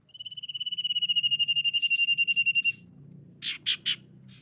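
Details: Lure song of the common iora for stirring other ioras to sing. An even, rapidly pulsing whistled trill builds in loudness for over two seconds. Three short harsh buzzy notes and a faint one follow over a low hum.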